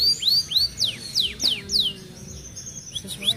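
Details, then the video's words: F1 canary, a caged bird with wins at regional practice contests, singing near moult in a fast, tight style: a rapid series of clear, downward-sweeping whistled notes, then softer high chirps, over faint low background noise. "Burung Kenari F1ngerol speed rapat"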